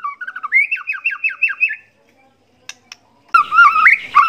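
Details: Competition white-rumped shama whose song is packed with learned fill-in phrases: a series of repeated looping whistled notes, a short silence with two clicks, then wavering mid-pitched whistles rising and falling.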